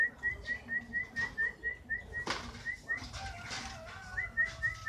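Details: Canary, kenari fighter style, giving regular whistled chirps about twice a second, with a sharp knock midway and faint flapping sounds.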